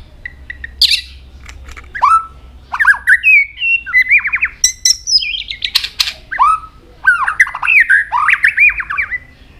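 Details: Singing white-rumped shama, many-voiced and changing its tune while tail-flicking continuously: a rich, rapid stream of varied whistled phrases, slurred rising and falling notes mixed with sharp clicks and a few high squeaky notes.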